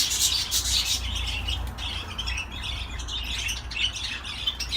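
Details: Budgerigar song: busy twittering chatter of short scratchy notes, louder at the start and then running on more softly, with low background hum.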